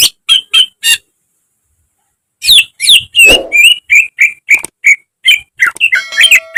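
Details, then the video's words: Greater green leafbird song in full gacor style from a training recording for caged birds. A few sharp notes, a pause, then a fast busy run of varied whistles and harsh chips, with one low rasp partway through. "Masteran cucak ijo agar cepat rajin bunyi~gacor setiap hari"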